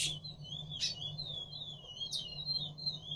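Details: Picolet courting a female delivers a continuous high twittering warble of slurred whistled notes over a steady low hum, with brief sharp clicks.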